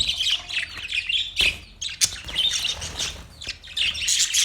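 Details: Budgies chattering: continuous high warbling chirps broken by sharp clicks and squawks, with brief pauses before the busy twitter resumes.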